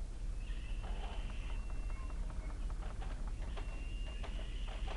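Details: Two fluffy recently fledged Little owl young begging while fed their evening meal at Kalmthout on 11 June 2022; drawn-out hoarse hissing wheezes, two long ones, with rapid soft clicks in between over low background rumble.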